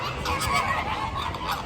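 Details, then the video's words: Flamingos seen by a first-time visitor, a flock giving goose-like honking calls, nasal and overlapping, with a brief burst of excited human voices around it. "Flamigos Making Beautiful Sounds"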